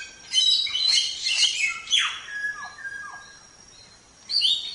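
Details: ['Songbird training recording of a gacor Samyong, or Chinese Hwamei: a dense cluster of high warbled notes, one long falling slur, two soft low whistles, then silence before another phrase.']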